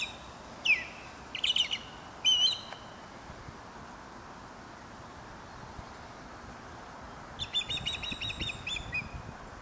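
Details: Osprey at Dartmouth, Nova Scotia, around nest preparation: short bursts of sharp, high, whistled chirps given in quick groups of two or three, a pause of several seconds, then a longer chattering run of chirps near the end, over quiet background.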